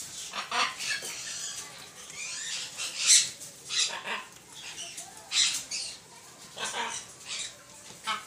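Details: Macaw giving a series of harsh, broadband squawks, irregular bursts roughly every second or two, some louder and sharper than others, with quieter rasping notes between.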